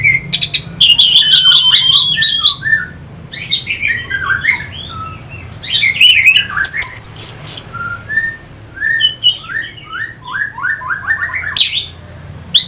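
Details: Orange-headed thrush song used to stimulate fighting birds, from Singaraja, North Bali: a varied run of quick whistled and chattering phrases, high trills and downslurred notes, broken by short pauses, with a low hum beneath.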